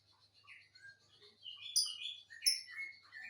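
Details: A matched pair of lovebirds giving thin, high chirps and squeaky, quickly shifting twitters. The calls grow louder and busier in the second half, over a faint low hum.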